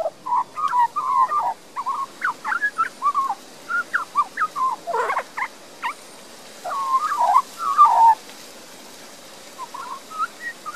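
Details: A resident young Australian magpie in a garden in Queensland, Australia, sings a rambling warble of mellow, gurgling and fluted notes, mostly mid-pitched, with brief pauses over about ten seconds.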